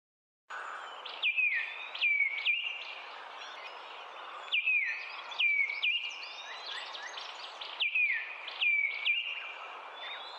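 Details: A southern African Emerald Cuckoo gives a clear whistled phrase of about four notes, the first slurring downward, repeated every three seconds over steady background hiss and faint chirps.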